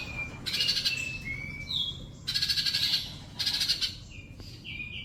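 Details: Training recording of a sunbird singing: short bursts of rapid high chatter separated by thin, clear whistled notes, some rising, some level, over faint background hiss.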